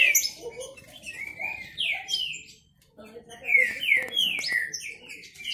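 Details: Competing male Green-winged saltators sing rich whistled phrases of sliding, downward-sweeping notes, with a brief pause midway before a fresh burst of overlapping song. A low background murmur and a few sharp clicks are also heard.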